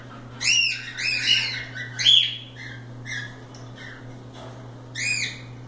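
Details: Free-roaming pet cockatiels at play utter a run of rising, arched whistled squawks, several in the first two seconds, then softer notes and a final loud call, over a low background hum.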